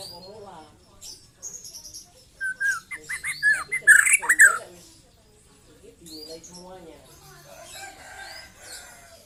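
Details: Young white-rumped shama with 'trotol' song: soft low warbles, then a two-second burst of quick, rising and falling whistles with harsh overtones, followed by quieter chattering notes.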